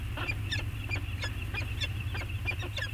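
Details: A peregrine falcon pair bonding on Anacapa, seen on a webcam on 14 August 2021, gives harsh, grating calls, about ten quick notes in three seconds, over a constant deep rumble.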